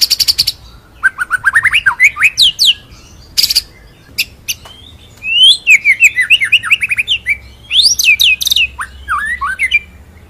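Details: Varied white-rumped shama (murai batu) song in ngerol nembak style, a masteran: sharp high bursts and fast sweeping whistles rising and falling in quick runs, with brief pauses between phrases.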